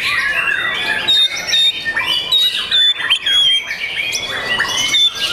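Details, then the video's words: Young caged white-rumped shama producing high, bright whistles and thin piercing notes mixed with harsher scratchy bursts, sung continuously without breaks. "MURAI BATU PRESTIS SI MURAI MUDA YANG SPESIAL!!!"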